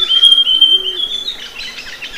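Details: Amazonian grosbeak singing: a long thin whistled phrase gliding slightly downward, followed by softer jumbled twittering notes.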